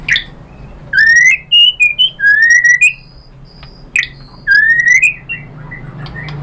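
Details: White-rumped shama song aimed at getting other birds to sing: long upslurred whistles and short higher notes, phrases repeated twice with clicks between them.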